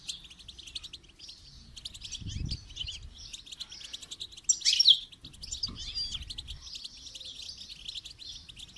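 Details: Goldfinch song for training: continuous rapid high twittering with a loud, sharp burst around the middle, then more twittering. Occasional low thuds sound in the background.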